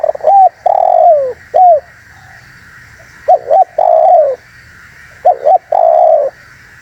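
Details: Vigorous spotted dove calling used to attract birds: three phrases, each two quick hooked coos then one long, gently falling coo, evenly spaced with short silences and background hiss.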